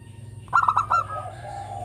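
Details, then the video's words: Single quick phrase from a local zebra dove, a lure recording meant to draw other birds: a short burst of rapid stuttering coo notes fading into a soft drawn-out tail, steady faint hum beneath. "Perkutut lokal gacor suara merdu yang begini bagus buat PANCINGAN"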